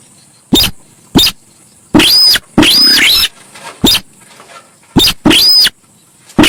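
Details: Harsh, scratchy shrieks and sharp clicks from a Javan pied starling, used as a lure. Several long raspy bursts carry a thin whistled note, with short noisy notes between them and a high electronic hiss.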